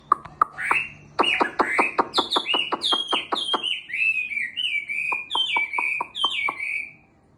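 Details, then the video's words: Caged Chinese hwamei of about six months, coming back into form after molting, singing: loud rapid series of sharp clicks, then bright repeated whistled phrases sliding downward, each note clear and ringing, in a small room. "Hoạ mi bổi 6 tháng lồng"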